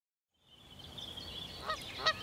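A goose gives two short, nasal honks about half a second apart, after a thin, high, falling note and over a faint background hiss.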